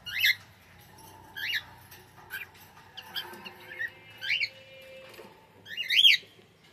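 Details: Cockatiel giving harsh, screechy rising-falling calls, about six spaced one to two seconds apart, the last the loudest, over faint steady tones and a low background hum.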